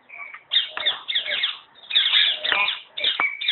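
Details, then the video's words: A common hill myna, a talking bird at Alipore Zoo Garden, Kolkata, West Bengal, India, gives a run of harsh, speech-like squawks and raspy phrases broken by a few clear whistled notes, in three bursts over a few seconds. "The Hill Myna is Taking Bird"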